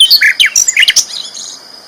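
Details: Brief burst from a loud sikatan londo flycatcher, a champion songbird: about a second of quick, high chirps and twittered notes, then fading to quiet.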